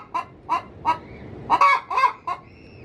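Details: Domestic hen in her coop about to lay an egg, calling with a sound said to attract male junglefowl: a few spaced clucks, then a louder quick cluster of harsh notes, indoors.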